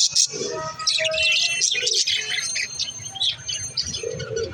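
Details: Little budgerigars chirping in a busy chatter of high squeaky twitters and warbles, broken by brief pauses, with some lower squawky notes and a soft background hum.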